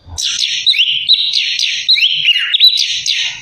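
A Chestnut-capped Thrush pours out a fast, unbroken song of high, sweet slurred whistles and buzzy trills, rising and falling without pause.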